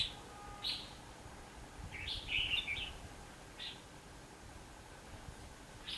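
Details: Red-whiskered bulbul decoy fighting song from a trapping session on 19 November 2015: scattered sharp chirps and one warbled phrase at mid-range pitch in a quiet setting.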